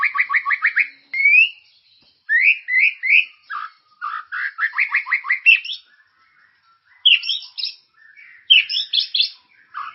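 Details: Song of a White-rumped shama, played to prompt caged birds into singing: fast repeated trilled notes in quick series, upslurred whistles and varied chattering phrases, broken by brief pauses over ten seconds.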